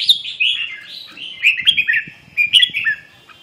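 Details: Warbling red-whiskered bulbul delivering a continuous run of liquid, fluty notes that dip and rise in quick succession, loud and close throughout.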